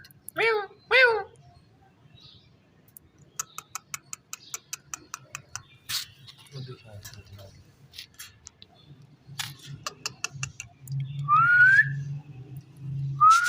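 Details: A rose-ringed parakeet talking: two short speech-like syllables open, then a run of quick dry clicks, scattered chatter, and a pair of clear rising whistles toward the end, with a low hum underneath.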